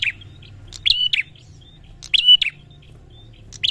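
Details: Prinia giving quick double chirps, bright and slightly buzzy, separated by about a second, with faint high whistled notes between; low hum in the background.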